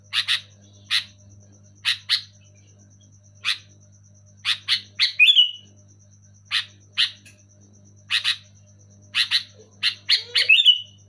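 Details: Sooty-headed bulbul calling loudly and clearly, used to stir silent caged bulbuls into song: scattered rasping double chirps, twice gathering into quick bursts that end in a ringing slurred note, over a constant low hum.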